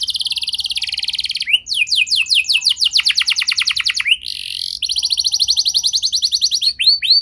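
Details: Canary song used as a lure to prompt young canaries that are slow to sing: fast high trills of repeated notes, sweeping downward slurs, a brief pause, then more rapid rolling tours.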